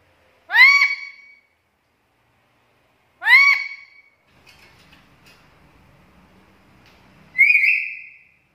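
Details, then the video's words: Black-capped lory, played as a lure for other lories: two harsh rising-falling harmonic squawks about three seconds apart, then low murmuring noise, then a higher shrill squeal. "PANCINGAN DAN MASTERAN BURUNG NURI KEPALA HITAM GACOR"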